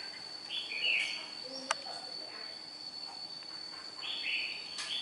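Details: A red-whiskered bulbul, said to come from Nghệ An province in Vietnam, sings two fairly soft, scratchy warbled phrases about three seconds apart. A faint click and a constant high-pitched tone run in the background.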